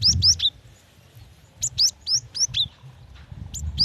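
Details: A female cinereous tit calls the male with crisp, high chirps that slur steeply upward, given singly and in pairs with short gaps between them. Soft low thuds are heard in the background.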